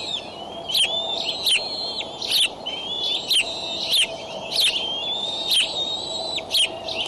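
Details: On a Decorah eagle nest, early morning 25 May 2012, the adult male brings a raccoon that an eaglet grabs. Piercing thin whistles rise and fall between repeated sharp, clicky bursts.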